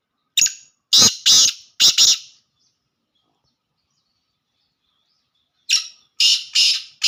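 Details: Black francolin, pure laka call: a clipped opening note followed by three rough, rasping bursts, then a pause of several seconds before the same harsh four-note phrase repeats.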